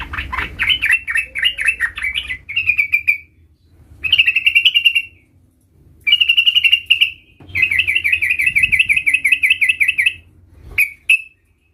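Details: Young sooty-headed bulbul learning a rolling song: a chattering opening phrase, then repeated bursts of fast rolling trills separated by brief pauses, the longest trill running nearly three seconds, ending in short clipped notes.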